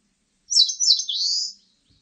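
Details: Single song phrase of an Eastern crowned warbler, 2020: short high twittering notes followed by a drawn-out, rising, buzzy ending, clear and without other sounds apart from a faint low tap at the end.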